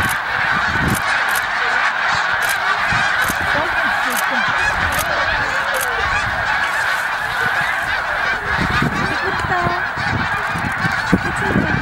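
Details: Continuous clamour of a large flock of snow geese at Middle Creek, Pennsylvania, during migration: shrill honks stacked densely together, occasional nearer calls rising above, with low rumble and one sharp knock near the end.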